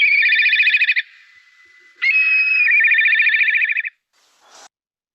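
A black kite gives two high, rapidly quavering whistled trills: a one-second burst, then a longer one opening on a level whistle. A brief rustle follows.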